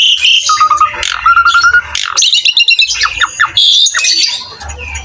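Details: Tutor-recording song of an Asian pied starling in vigorous gacor style: a flat, sustained whistle, then a burst of quick chattering notes and bright rising whistles, mixed with rough squawks and a faint low rumble underneath.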